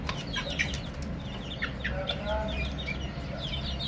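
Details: Baby chicks chirping: a steady stream of short, high, downward-slurred peeps from several birds, overlapping irregularly above a constant low rumbling hum.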